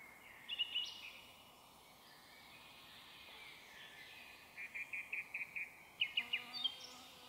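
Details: Song thrush singing in a forest at about 7–8 pm on 1 May 2023, beside a snow dump; a short note repeated five times in quick succession, then another rapid repeated burst, with other birds faintly in the background.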